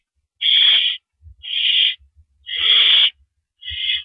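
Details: At a nest late on the night of April 5, 2012, during a mouse delivery, an owl gives broad, breathy screeching hisses, four in about four seconds, with faint low knocks between them.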